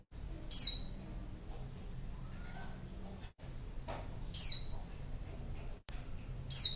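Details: Female white-eye calling to draw in a male: high thin downward-sliding whistles repeated every couple of seconds, some notes fainter, over a quiet background with low hum.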